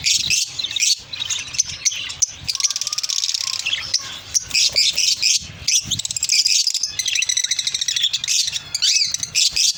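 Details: Lovebirds giving a dense, shrill chorus of rapid high chirps and twittering squeaks, overlapping almost continuously with brief pauses, several birds calling at once.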